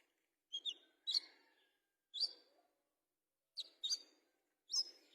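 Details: Caged fighter-type olive-backed sunbird uttering sharp, slightly descending chirps, often in pairs, spaced about a second apart against a quiet background.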